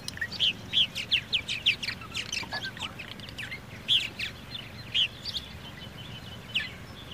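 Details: Purple martin giving rapid, uneven series of bright chirps, about three per second at first, then thinning to isolated sharp notes over a low background rumble.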